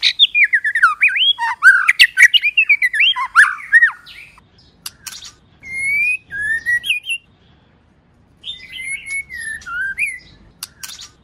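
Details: A female white-rumped shama sings rich, rapid whistled phrases that swoop up and down, with brief sharp chips and short pauses between bursts, a song that stimulates males to sing.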